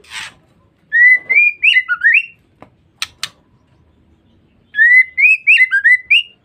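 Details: Female white-rumped shama calling, used to lure and provoke males. A brief harsh burst leads into a bouncing run of rising whistled notes. Two faint clicks follow, then the whistled sequence repeats.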